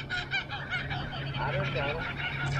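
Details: A kookaburra at the coast near Bicheno, Tasmania, gives a raucous, chattering, monkey-like run of harsh, rising and falling notes over a low hum.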